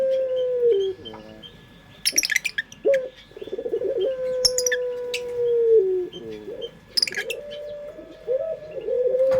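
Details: Pet local puter pelung dove calling as a lure, giving long, level, drawn-out coos. Each is broken by short stepped rolling notes, and bursts of high twittering from other small birds break in now and then.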